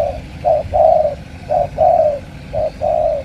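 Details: Cà Mau spotted dove of the tú style cooing clearly: a brief low note then a long, smooth, slightly falling coo, the pair repeated roughly every second, with faint low rumble beneath.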